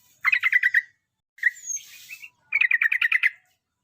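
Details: Yellow-vented bulbul, a trucukan groomed as a future contest champion, delivers two fast, rhythmic bursts of bright chattering notes around a short scratchy, rising call in between.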